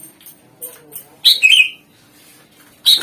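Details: Greater green leafbird singing actively, used as a lure to make other songbirds answer: a few loud, harsh, buzzy chirps with short sweeping notes, separated by quiet gaps and faint low hum.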